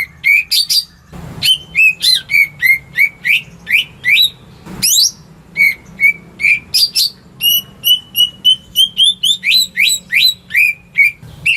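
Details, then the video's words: Household greater green leafbird in full song, meant as a lure for birds that will not sing: a long fast stream of ringing whistled slurs, some bursts dense, others spaced, with two short bumps. "Cucak Ijo Rumahan Yang Cocok Buat Pancingan Burung Macet"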